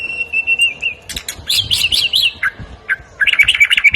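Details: White-rumped shama from Medan in varied song with mimicked phrases: a wavering whistled note, bursts of sharp chattering and clicks, then fast warbled twitters.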